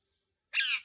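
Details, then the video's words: A single loud, grating screech from a green parrot after a brief silence, harsh and broadband, ending abruptly. "Green Parrot Talking Natural Sounds | Tote Ki aawaaz"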